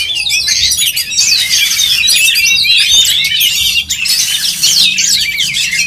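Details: Oriental magpie-robins singing against one another at a contest, with continuous high, chattering whistles and fast trills, swelling louder in the final seconds.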